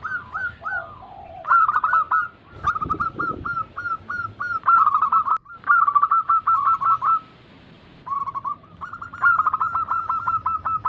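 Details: Group of zebra doves, local, Bangkok and crossing varieties, cooing as a lure for reluctant caged birds. Long strings of quick rolling coo notes come with brief breaks and a loud knock early on.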